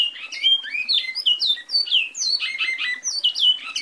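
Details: Bicudo (Great-billed Seed-finch) pouring out a continuous, melodious warble of quick slurred whistles, some rising and some falling, packed closely together at high pitch.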